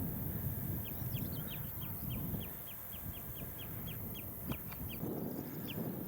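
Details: Common redshank, identified by a bird app, on a sunny, breezy afternoon walk between Burnham-on-Crouch and Hockley, Essex, 1/7/26: a steady series of about fifteen short, high, falling notes, several per second, over wind rumble and rustling.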